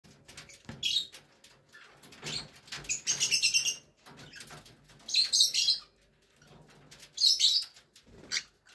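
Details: A group of semi-adult cockatiels gives bursts of harsh, high chattering calls, with quieter chirps between them.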